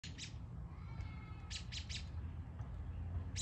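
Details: American robin giving short, sharp calls over a low background rumble: brief bright bursts at the start, a tight cluster of three midway and one more at the end.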